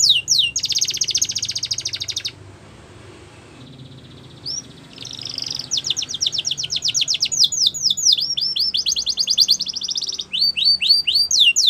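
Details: Yellow canary singing in the wild. Sharp chirps lead into a dense buzzing roll, then a quieter pause. Fast trills resume, with tours of repeated slurred notes and buzzy rattles alternating.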